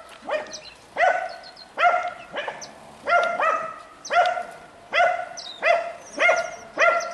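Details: Aviary finches, kept alongside zebra, Gouldian, star and shaft-tail finches, canaries, king quail and diamond doves, repeat nasal honking calls roughly every second. Scattered thin high chirps sound in the background.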